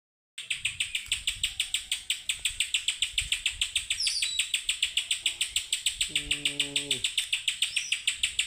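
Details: Spiderhunter singing vigorously: a fast, steady series of sharp, high chattering notes, roughly three per second, running without pause; a brief low tonal sound underneath near the end.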